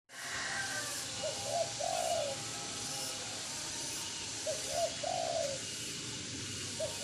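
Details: Spotted dove giving two low, soft cooing phrases about three seconds apart, each a short note followed by a longer, slightly rough coo, over a steady hiss of background noise.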